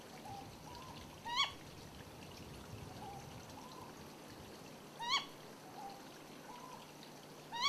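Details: Ryukyu scops owl on Yonaguni, the recording offered as male and female calls: three sharp, rising single 'kyo' notes, clearly harmonic, about every two to four seconds, with soft low hoots between them in the background.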